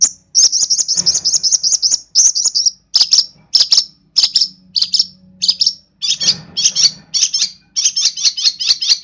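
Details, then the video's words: Long-tailed shrike from East Java, singing energetically with a full repertoire of imitations. Rapid bursts of shrill, scratchy high notes come in quick runs separated by short pauses. "Burung Pentet Gacor Full Isian"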